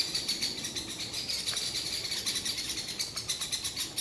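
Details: Great spotted woodpeckers, a pair with young, loudly alarming at a pine marten next to their nest in a forest. A rapid, steady series of sharp, high, chattering notes runs throughout, several per second.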